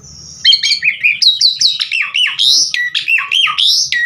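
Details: Javan pied starling, known locally as jalak suren, singing to lure other birds; one long high whistle, then a fast series of loud slurred, up-sweeping whistled notes.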